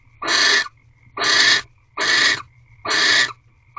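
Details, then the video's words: During a nighttime barn owl mating ritual at a nest box, 8:45 pm on 3 March 2023, four long raspy hisses come at a steady pace of almost one a second, with a faint thin tone between them. "Barn Owl Mating Ritual 14th Night"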